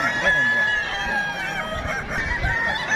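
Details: Several Kukuak Balenggek cocks crowing together at a contest, sustained bright tones broken into short stepped syllables, with a dull wash of crowd noise and scattered claps.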